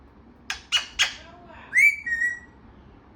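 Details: Parrot producing three quick breathy, clipped bursts, then a clear rising whistled note that levels off and fades into a thin tone.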